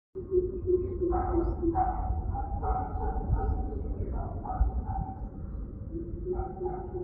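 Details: Southern coucal recorded from a home terrace: deep, hollow, low-pitched hooting notes, some drawn out and others given in short repeated runs, with steady low background rumble.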